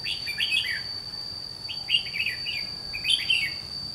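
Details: Caged red-whiskered bulbul serving as a trapping decoy against wild rivals sings three quick, chattering, rising-and-falling whistled phrases, roughly one every one and a half seconds, with a constant thin high-pitched whine behind.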